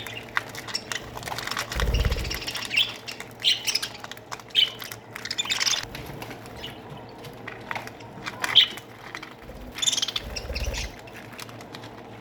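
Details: Budgerigar colony in an aviary, chirping and twittering in repeated short bursts every second or two, with scratchy warbles, sharp tweets and a couple of low thuds.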